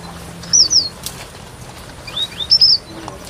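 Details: Red avadavat, also called strawberry finch, giving short thin high-pitched chirps: a pair of notes near the start and a run of three or four more near the end, with quiet background between.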